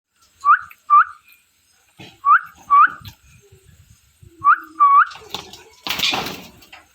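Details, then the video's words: Pet ring-necked parrot giving short, bright whistled chirps with a rising hook, in pairs about half a second apart, three pairs over seven seconds, ending in a burst of rustling noise indoors. "Parrot Chirping Sounds | Natural Parrot Sounds | Parrot Calling Sounds"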